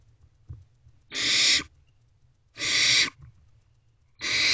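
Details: Nest-box barn owl owlets at 9:12 pm, 21 May 2023, while one eats a rodent as siblings look on; three even, rasping hisses about every 1.5 seconds, with quiet background.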